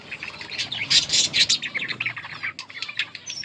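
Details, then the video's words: Yellow budgerigar pair chirping: a dense run of rapid high twittering and short squeaky chirps, overlapping and busy, briefly pausing near the middle before resuming with scattered tweets and one thin whistled note. "budgies chirping sounds"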